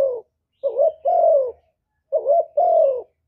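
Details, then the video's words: Kept spotted dove in calling, urging and cooing song, meant to excite other doves into calling. Two husky two-part coos, each a short rough note then a longer smooth falling one, separated by silence. "Cu Gáy Giọng Hạp Bổi ĐỦ BÀI (GỌI +THÚC + GÙ)Kích Bổi Nhanh Nổi"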